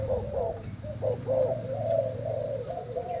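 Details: Spotted dove from Thailand, caged two days, in a cooing contest with a decoy bird: a continuous run of low, mellow coos rising and falling, over steady background hum.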